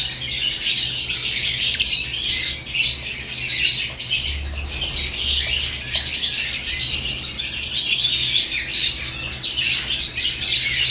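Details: Caged lovebirds at morning time chatter nonstop, many overlapping sharp, high-pitched chirps forming a steady twittering mass, with a soft low background hum.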